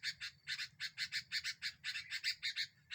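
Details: Sooty-headed bulbul, a lively singing bird used as a lure that stirs up other birds, giving a fast run of sharp, broad chirps, about three per second, over a faint low rumble.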